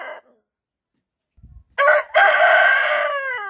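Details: A coop rooster living among laying hens answers far-off roosters with a challenging crow: one brief cluck, silence, then a loud rasping cock-a-doodle-doo, a short first note followed by a sustained call sliding down at the end.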